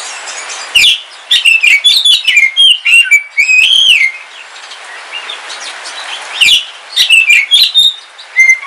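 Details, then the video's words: Oriental magpie-robin, dark Kalimantan form, kept as a house bird, singing while it rains: two bursts of rich, varied whistling with clicks, slurred downward notes and a rising-falling whistle, separated by a quieter pause. "Suara Kicauan Ketika Hujan - KACER WULUNG KALIMANTAN"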